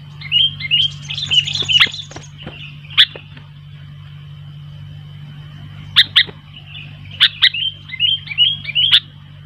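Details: Sooty-headed bulbul in full song with wild bulbuls responding: repeated bouts of bubbly, slurred whistled phrases interspersed with sharp clicks or taps, several callers overlapping, over a steady low hum.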